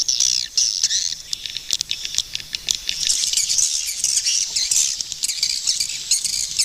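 Swiftlets in a dense flock give high, rapid twittering chirps and buzzy trills that overlap continuously, with scattered sharp clicks throughout.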